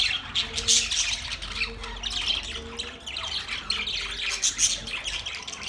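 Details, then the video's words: Pet budgerigars, described as beautiful colourful Australian parrots, keep up a dense, busy chatter of high chirps and squawky warbles, with steady low humming tones running faintly beneath the birds. "Australian Parrot Bird Chirping sound"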